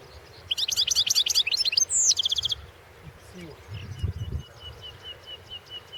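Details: European goldfinch recorded for the 2016 goldfinch song world championship: a series of high, tinkling trills and a whistled downward slur, then thin repeated high chips, with low thumping noises in the background.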